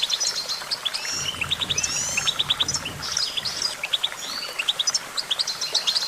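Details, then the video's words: Goldfinch pouring out fast liquid twitters, buzzy rolled phrases and repeated triplets of short notes, continuous and energetic, over a faint low hum. "Vocal virtuoso: activating enhancing your goldfinch songbird prowess"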